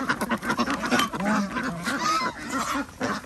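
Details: Flock of ducks on a village organic duck farm in Andhra Pradesh at feeding time, a dense chorus of overlapping nasal quacks and honking calls with a few clearer drawn-out notes, no pauses.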